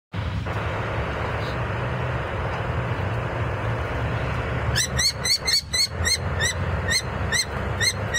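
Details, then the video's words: Juvenile common kestrels on a nest behind a statue on a former Bernardine church in Hrodna, Western Belarus, 6 June 2011, just after ringing; a run of sharp, repeated harsh calls starts midway, several per second, over steady low traffic rumble. "Kestrels after ringing + sharp voice"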